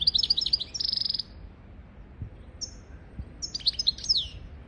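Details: European goldfinch singing a tutor song meant to train goldfinches and canaries: a rapid liquid twitter, then a brief buzzy trill, a pause, and another tinkling phrase ending in a downward slurred note.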